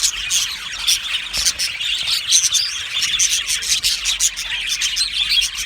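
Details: Budgerigars in an aviary, happy and chirping: a crowded chorus of short, bright tweets and clicks repeated rapidly, with the overall level rising and falling in small pulses.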